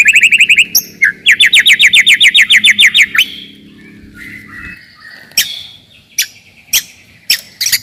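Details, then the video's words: White-rumped shama song played to rouse rivals and test young birds: fast trills of rising whistles, a long run of sharp upslurred notes, then scattered loud clicks and short notes with pauses. "KICAUAN TERBAIK,,PASTI AMPUH,, MEMANCING/MENAIKAN EMOSI LAWAN."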